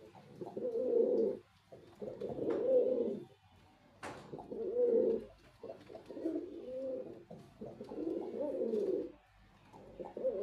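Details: A white male pigeon performs a series of deep, burbling coos, about five rolling phrases over ten seconds, each swelling and fading with brief gaps between, recorded in a small indoor space.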